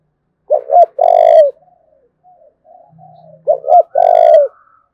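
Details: Thúc bổi cooing of a spotted dove from Đồng Nai, Vietnam: two loud phrases, each a quick stuttered double note followed by a long, slightly falling coo, with faint coos from other doves and a low hum between.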